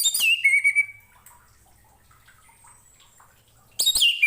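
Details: Orange-headed thrush singing as a master tutor for other birds: a sharp high phrase falling into a steady whistled note, a long pause with faint distant chirps, then another sudden high burst.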